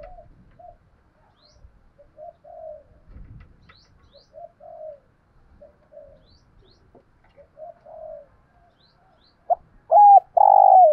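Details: Spotted dove, recorded for decoy training: a series of soft, short low coos spaced every second or so, ending with a sharp note and a loud, sustained cooing phrase.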